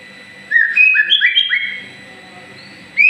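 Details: Moulting white-rumped shama, described as a promising champion growing new feathers, delivering a quick run of five or six upslurred whistles that step up and down, followed by quiet and a final rising note.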